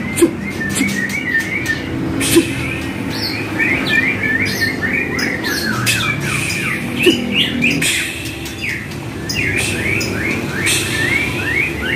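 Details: White-rumped shama (murai batu) song for training kept birds: long varied sequence of rapid chattering, rattling phrases and whistled slurs, punctuated by sharp clicks, with a low hum throughout.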